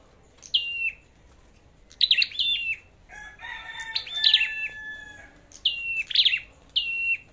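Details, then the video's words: Flowerpecker singing in a song contest: high, thin notes sliding steeply down and levelling off, given in short bursts about every second, with a brief lower, harsher passage partway through. "Chim Sâu Đầu Đỏ Hót Đấu"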